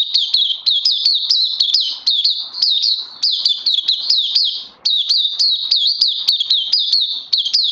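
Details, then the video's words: Oriental white-eye sings non-stop on day 2 of a health-supplement regime, 31 May 2020, a fast run of high, thin, sweet chirping notes, about three slurred phrases a second, with no other sounds. "Puteh Crazy LG"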